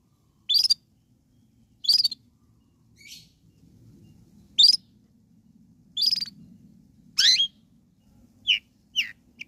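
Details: Long-tailed shrike song for stirring other shrikes to respond: scattered single harsh, downslurred notes spaced one to two seconds apart over a faint low hum.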